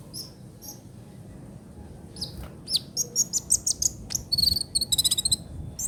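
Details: Ninja sunbird trotol song for songbird tutoring: high thin notes that build into a fast run of sharp chirps, then a rapid ticking trill near the end.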